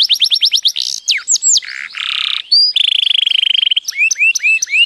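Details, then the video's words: A canary sings a fast, varied run: quick repeated chips, sweeping downslurred whistles, a rattling buzzy trill, then a string of rising notes. "canario cantando"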